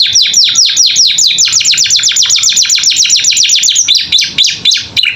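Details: Caged canary singing lively training song: rapid, overlapping downward-sweeping whistles crowding into a dense run, then a looser twittering passage with sharp chips.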